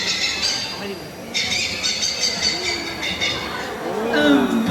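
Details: Hornbill calling during a zoo flight show in an amphitheater, its loud cackling call likened to a cackling witch and amplified by the big casque atop the beak; harsh repeated bursts over a presenter's voice.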